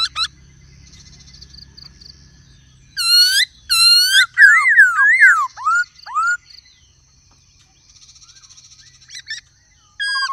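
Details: Black-throated laughingthrush singing varied phrases with a female calling: loud stacked harmonic bursts, a cascade of swooping falling whistles, soft thin trills, and a closing whistle, over faint low hum.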